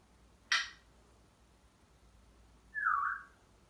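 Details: Male African grey parrot kept as a pet, vocalizing when alone in another room: a sharp broadband click, then after about two seconds a smooth whistled note that dips slightly and levels off, with quiet room hum.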